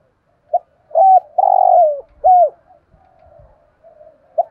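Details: Spotted dove used as a decoy to lure other doves, giving a fine cooing voice: a short note, then two low hollow coos around a longer drawn-out coo that falls at its end, with soft trailing notes.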